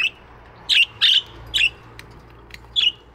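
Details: Budgerigars in an aviary in the morning give a few short, bright chirps with a downward twist, a pair close together, then two spaced singles, over a low steady hum.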